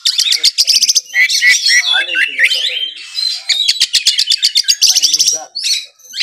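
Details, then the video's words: An Oriental magpie-robin sings a rich, fast medley of sharp chips, trills and slurred whistles, mostly high-pitched, with rapid repeated notes and mimicked phrases, amid music. "KACER GACOR FULL NEMBAK ISIAN MEWAH"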